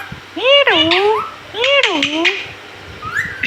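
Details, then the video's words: Indoor pet parrot speaking mummy: two matching two-part phrases, each a dipping, voice-like syllable with bright upper harmonics, a second and a half apart, then a soft rising note. "Parrot talking mummy"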